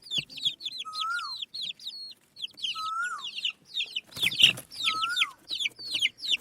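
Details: Native chicken chicks feeding on rice: clusters of shrill downward-sliding peeps, a lower whistled call recurring about every two seconds, and a short scratchy rustle partway through.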